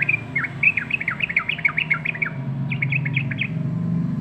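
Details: Yellow-vented bulbul giving a short run of sweet, slurred chirps, a brief pause, then a quicker cluster of rising notes, set against a steady low rumbling background noise.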